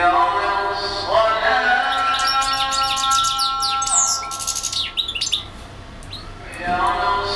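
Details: European goldfinch in extended song, singing for hours without stopping: a rapid jumble of high chirps and silvery slurs, then a quieter stretch before the twittering starts again, with steady background tones throughout.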